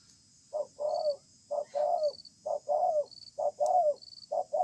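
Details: Spotted dove, a stubborn wild-caught bird, cooing in a contest under a communal stilt house: a brief note then a longer wavering coo, grouped in pairs about once a second, with soft high insect pulses.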